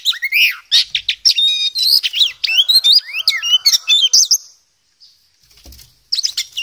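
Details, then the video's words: Energetic ngobra song from a poci Oriental magpie-robin, full of varied material: loud, fast sequences of swooping whistles and harsh chattering notes for four seconds, a pause, then singing resumes. "KACER POCI GACOR, NGOBRA FULL ISIAN"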